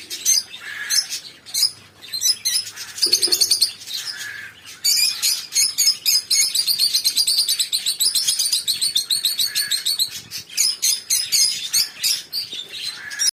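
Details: Lovebirds calling continuously: shrill, rasping twitters and quick squeaky chirps in rapid trains, several birds overlapping, with a brief lower coo-like sound near the start.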